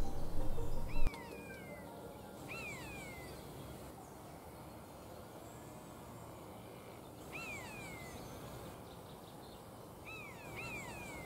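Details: A common buzzard gives its simple, shrill, far-carrying cry, which reveals its presence: high, drawn-out mewing calls that slur downward, about four spaced over ten seconds, over a low background rumble.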